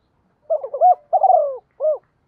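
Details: Single cooing phrase from a decoy spotted dove used to call in and train new wild-caught birds: a broken rising opening, a long quavering downward coo, then one short detached note after a brief gap.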